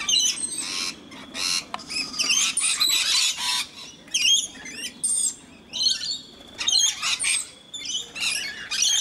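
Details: A group of rainbow lorikeets being hand-fed at Mt Gravatt, Brisbane, Australia, with one scaly-breasted lorikeet among them, gives harsh, grating screeches in overlapping bursts, with brief gaps of quiet between flurries.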